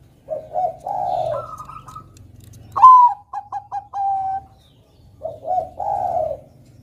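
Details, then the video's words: Bangkok zebra dove singing to encourage young untrained birds: a low bubbling coo, a higher sustained coo run, a sharp accented note with fast repeated clipped notes, then another low coo beginning, with a soft background hum. "PERKUTUT BANGKOK GACOR kutut Bangkok Gacor Manggung NEGEL ini PINTAR mancing bunyi Kutut Bakalan"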